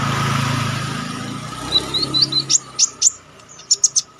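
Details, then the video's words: Konin songbird in lively, wild-style song with sharp bursts, used as a tutor recording for training contest birds: low rumbling background first, then short high chirps from under two seconds rising into sharp piercing notes and quick triple peaks near the end. "Konin damer gacor ngalas nembak tajam‼️ampuh buat masteran"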